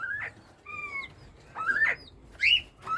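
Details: Northern bobwhite quail in breeding season: rising, upslurred whistles spaced irregularly over three seconds, with a brief steady double tone between the first two calls.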